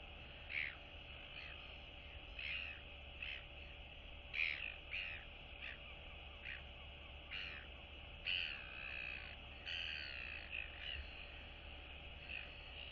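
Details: Royal albatross chicks in their colony greeting one another on 9 September 2022, one a younger chick still downy on neck and chest; short harsh bursts come every second or so over a constant hiss.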